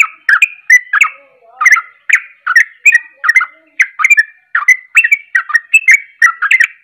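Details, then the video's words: Sooty-headed bulbul (trucuk) singing an agitated 'ropelan' style song meant to provoke other bulbuls: rapid, steady series of short bubbling, warbled notes, several per second, with no other sounds. "Ropelan Penuh Emosi Langsung bikin Panas Bunyi Trucuk Lain"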